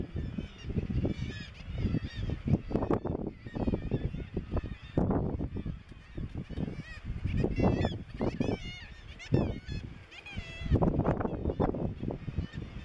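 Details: Razorbill at its breeding cliffs, Bempton Cliffs, East Yorkshire, 21 May 2017: deep, rasping growls in ragged bursts, with fainter wavering higher calls from the busy colony behind.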